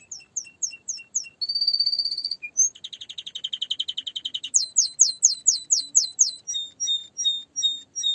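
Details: Canary song built from varied repeated phrases: clear whistled notes, a fast buzzy trill, a long rapid rattle, then loud downslurred notes repeated about twice a second, all high-pitched and clean.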